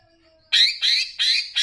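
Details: Greater green leafbird of the Banyuwangi type, on a master recording used to raise other leafbirds' excitement, mixed with bebeci sounds: four loud, harsh, buzzy squawks in quick succession after a brief quiet start.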